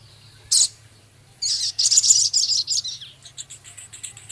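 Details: Lively male Javan cochoa whose song holds minivet imitations, ticking and rough chattering; a lone sharp note, then a rapid, shrill, buzzy trill of about twenty notes tapering into faint high ticks.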